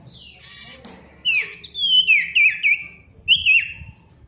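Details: Male ashy tailorbird in loud song: a faint scratchy start, then a long gliding whistle with a wavering twist, a second wavering phrase and a final clear slurred note.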